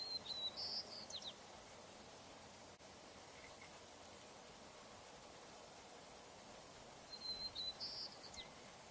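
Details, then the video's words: White-crowned sparrow singing a slightly different song variant: two short songs about seven seconds apart, each a clear high whistle followed by buzzy, slurred trilled notes, over steady low background noise. "White-crowned Sparrow singing a slightly different song"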